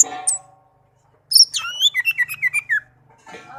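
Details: Tame pet orange-headed thrush singing, used to coax silent birds of its kind into song: a sharp high note, a pause, then a fast string of clear whistled notes that slide down, with a faint low hum underneath.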